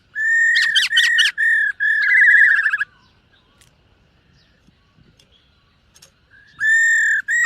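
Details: Silver-eared laughingthrush in a morning voice-training song with display: loud steady whistles and rapid upward-swept notes, a burry warbled phrase, then about three seconds of quiet before strong whistled notes resume.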